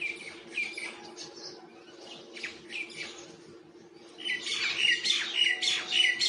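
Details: Common myna feeding in the wild, making varied sounds: bursts of harsh chattering and squeaky whistled notes, building into a louder dense run of chirps near the end, over a steady low hum.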